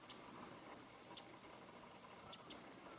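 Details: Winter wren (Troglodytes troglodytes) calling from a leafless branch on a late-January winter morning in Japan, 2013: four sharp, very high clicking notes, scattered singly and as a quick pair, over faint steady background hiss.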